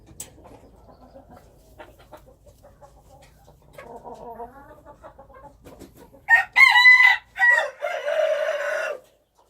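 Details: Wild chickens called qaib qus in Hmong: low soft clucks first, then a loud, long crow in two harmonic-rich phrases near the end.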